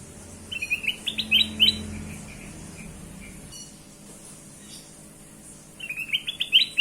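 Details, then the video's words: Kutilang emas bulbul singing as a lure for other birds: two separate bursts of lively, high chirping notes divided by a few quiet seconds, with faint low sounds underneath. "burung kutilang emas"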